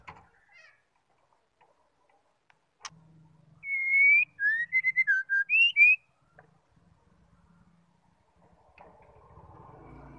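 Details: Calling female white-rumped shama, whose voice is meant to stir males to sing: after a sharp tap and quiet hum, a pure whistled phrase of a held note, short choppy notes, a lower pair and an upslurred ending.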